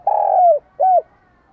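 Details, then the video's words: Spotted dove cooing, recorded for training other doves' voices: a long, steady low coo that drops slightly in pitch at its end, followed by a short rounded hooting note, in a quiet setting. "Tiếng chim cu gáy hay dùng luyện giọng chim cu gáy mỗi ngày"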